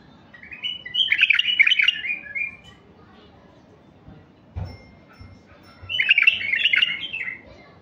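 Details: Song of a mutation male White-eared bulbul, used to stir raw wild bulbuls: two separate rich, gurgling warbled phrases, each about a second and a half long, with a short thump between them.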